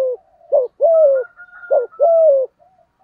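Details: Spotted dove cooing in the deep 'giọng thổ' voice style, used to provoke a rival male: short low coos followed by longer drawn-out notes that slide gently downward, repeated in a loose series, with a faint high thin tone behind.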